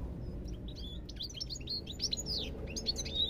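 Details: Rapid, liquid twittering from a European goldfinch, with a continuous stream of quick chirps and short slurred whistles rising and falling, against low background noise.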